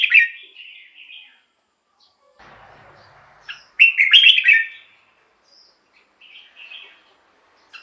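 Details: Red-whiskered bulbul song used as a decoy to lure wild birds and excite caged birds: bright, bubbly whistled phrases in short bursts with a noisy rustle between them and quieter notes trailing off.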